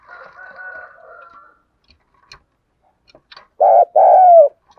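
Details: Spotted dove calling to lure wild doves: a faint, wavering low warble fades out, then after a pause two loud, deep, rounded coo notes follow close together near the end.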